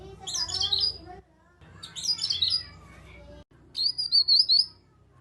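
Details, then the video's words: Grey-cheeked bulbul used as a lure to make other bulbuls join in. Two busy, high chattering bursts are followed after a pause by a clear nyaut phrase of six rapid, bouncing whistled notes. "Pancingan Burung Kinoi agar ikut Bunyi Nyaut cocok untuk kinoi ombyokan diam saja supaya gacor"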